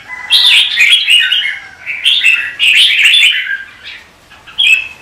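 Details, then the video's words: Red-whiskered bulbul in competitive morning singing, a run of liquid, warbled notes sliding up and down, two dense phrases followed by a quieter pause and a final short note. "Chào mào Luyện hót đấu mỗi sáng 30' - Căng lửa hót hay"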